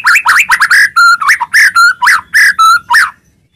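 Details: White-rumped shama song for stirring other shamas to sing aggressively: loud mellow whistled notes, some flat and steady, some swooping, delivered in a brisk uneven string before falling silent.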